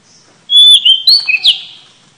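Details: Oriental magpie-robin song used to lure birds for trapping: one short phrase that opens with a clear, steady whistle and moves into quick warbled slurs and a rising flourish before fading.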